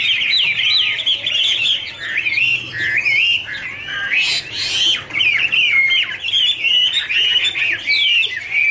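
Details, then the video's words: Chinese hwamei, Garrulax canorus, in wonderful warbling song: dense runs of quick whistled and slurred notes, with a brief harsh rasp midway. "Birds Garrulax canorus singing: dancing, duet fin wings, wonderful warble songs"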